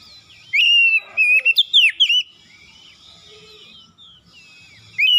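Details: Morning lure song of an oriental magpie-robin: a rapid burst of clear whistles and twisting slurs lasting under two seconds, then soft twittering and faint hum before the next phrase starts.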